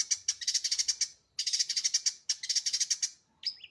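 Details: Long-tailed shrike in speedy 'full isian' song: three rattling bursts of rapid buzzy pulses, each about a second long, separated by short gaps, ending with a single thin whistled note.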